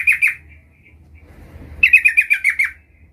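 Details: Trucukan, the sooty-headed bulbul, practising the rolling 'ngerol' song. Two quick bright notes, a pause, then a fast series of about seven descending ringing notes run together.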